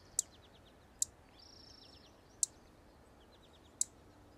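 Savannah sparrow giving four sharp, very high chips, spaced about a second apart, over faint thin buzzy notes and a low background hiss.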